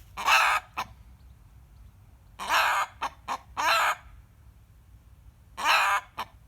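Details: Rooster screaming whenever a hen cackles nearby, as he usually does: loud, rough, hoarse cries of about half a second, in pairs, with short sharp notes between them and quiet gaps.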